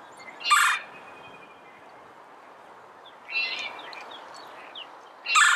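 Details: Red-bellied woodpecker giving three short, harsh, rolling churr notes spaced about two and a half seconds apart over a steady hiss of background noise.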